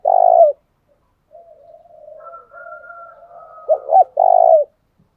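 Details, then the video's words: Spotted dove coo used to get a captured bird singing quickly; a long coo ends one phrase, then soft wavering murmurs and a faint high whistle lead into two short rising notes and another sustained coo. "Tiếng chim cu gáy mồi giọng lôi cuốn hấp dẫn đủ bài[ THÚC GÙ , GÁY GỌI ] dùng kich bổi nhanh nổi"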